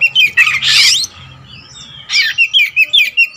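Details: All-black Oriental magpie-robin of the wulung raja type: a harsh buzzy burst, then after a pause a quick run of about eight sharp repeated whistled notes.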